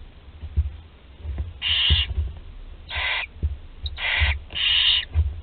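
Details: Barn owl nestlings at Théding, France, 20 July 2020, including a 13-day-old able to swallow an entire prey; four harsh hissing screeches of about half a second each, among soft low knocks and rustles.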